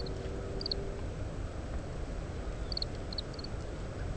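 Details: Oriental greenfinch giving quiet calls while feeding on Japanese stewartia seeds and discarding the husks, taken with a parabolic microphone on a windy day; clipped high notes in quick groups of two to three, repeated, under constant wind noise.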